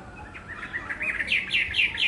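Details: Chinese hwamei song: a run of short, rising whistled notes that grow louder and higher toward the end, given in quick succession with little background noise.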